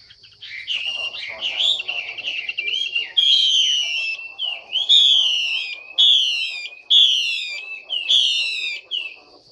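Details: Female Chinese hwamei giving a taut call meant to make males sing fuller and in more voices; varied warbling whistles at first, then loud repeated whistled phrases roughly every second, faint low chatter underneath.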